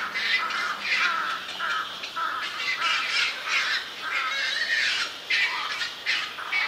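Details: Night heron chicks, juvenile black-crowned night herons, calling noisily in a colony shared with cormorants on a park bird island, 1 June 2023: a near-continuous chorus of hoarse, rasping squawks from several birds overlapping throughout.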